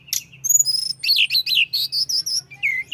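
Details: Mountain flowerpecker in full chattering song to rile up rivals: a sharp high chip, then clear whistled notes and a run of quick warbled phrases repeated several times, ending in short falling whistles, with a soft low electrical hum throughout.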